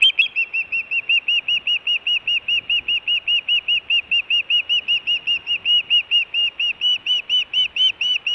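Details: Osprey female at the Hellgate nest camera, Montana, in June, fish calling for food: a long steady series of short, high, whistled chirps, about a dozen every few seconds, with little background noise.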